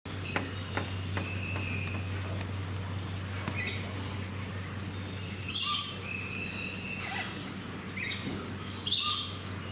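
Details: Major Mitchell's cockatoo at Fuji Kachoen Garden Park, Shizuoka, Japan, 25 November 2018: harsh, broad screeching squawks around five and nine seconds, with fainter calls between, over a steady low hum.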